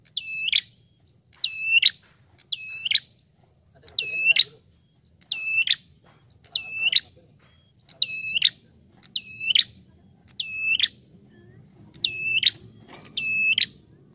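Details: Bar-winged prinia recorded as a lure sound for attracting birds: eleven loud, high whistled calls, each a steady note with a short upswing and a sharp buzzy flick at the end, repeated about every 1.3 seconds over a faint low rumble.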